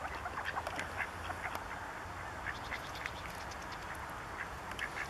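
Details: Bewick's swans at České Budějovice, Czech Republic, in February 2014. A flock gives soft, overlapping honking and yelping notes that run continuously at a distance over a steady low background hum.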